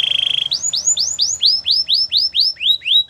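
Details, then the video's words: Belgian canary training song: a brief low trill opens into a slow, even series of ringing arched whistles, about three each second, each rising then falling. "Warm up your belgian canary!! The best canary training"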